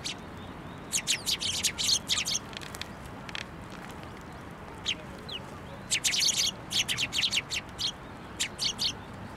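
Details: Sparrows gathering at a narrow feeding post, Tenmangu shrine, 22 January 2024; dense clusters of high, clipped chirps come in two busy bouts separated by a quieter stretch with scattered single notes.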